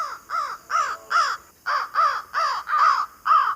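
A crow gives a run of nine harsh, arching caws, roughly two every second, with one brief pause partway through; nothing else is heard.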